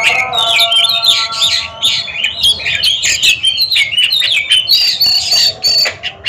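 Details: In a head-to-head song duel, Oriental magpie-robins deliver dense, high, chattering and whistled phrases, ending with clear upslurred whistles.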